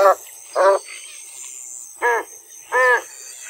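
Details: American white ibis calling: four short, nasal, grunting honks, each a fraction of a second long, given in an uneven series with quiet gaps between them, over a faint background hiss.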